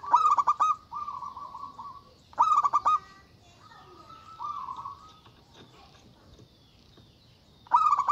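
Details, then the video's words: Agitated local zebra dove calling loudly to provoke opponents: rapid pulsed note clusters, each trailing into a sustained buzzy hum, then quieter steady tones and a final stuttering burst. "Suara Burung Perkutut Lokal Gacor Suara Besar Ampuh Memanggil Lawan Bunyi Emosi"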